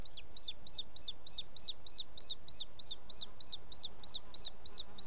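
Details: High, sharply down-slurred whistles repeat about three times a second, evenly spaced, from a booted eagle nest in Els Ports Natural Park on a June 2017 evening while the male delivers a captured bird.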